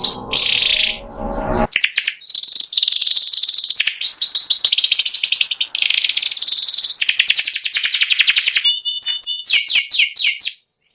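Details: Caged white panda canary in extended ngeriwik song, long continuous rattling trills at high pitch, ending with clear whistled notes and quick chips.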